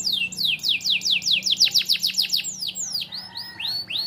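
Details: Canary singing lovebird-style phrases, used as a model song for training young canaries: a rapid run of high downward-sweeping whistles, about five per second, followed by slower curved high notes.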